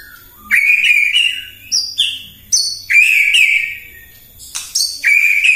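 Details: White-rumped shama in full morning song aimed at provoking other birds: sustained fluty whistled phrases punctuated by piercing high notes and crisp clicks, repeated in strong bursts.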